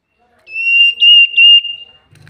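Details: Common iora in a lure recording. A single long, pure, level whistle lasts about one and a half seconds with small inflections. A faint low hum follows at the end.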